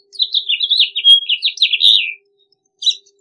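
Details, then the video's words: A house finch delivers a quick jumbled warble of slurred, descending notes lasting about two seconds, followed by one short extra note. "Pinzón Mexicano / Carpodaco Canto! Llamado! Cantando! - House Finch Song - Haemorhous Mexicanus"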